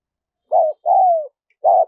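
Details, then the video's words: Spotted dove coo used for luring wild doves: a short mellow note, a long gently falling coo, then another short note, low and smooth against silence. "Tiếng chim cu gáy mp3 dùng kích bổi hiệu quả nhất"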